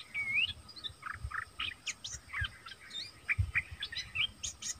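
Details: Nok dok taeng singing in a song duel with wild birds that came by twice: busy bursts of short whistled and chirping notes, some rising, over a steady low rumble and faint background hiss.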